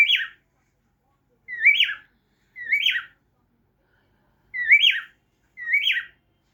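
A cockatiel gives short rising-falling whistles, repeated in a steady series.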